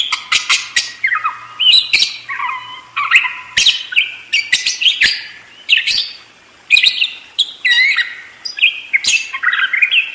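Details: Budgerigar warbling nonstop in a rolling, chattering flow of rising and falling squeaky whistles broken by sharp clicks, with only one short pause in the middle.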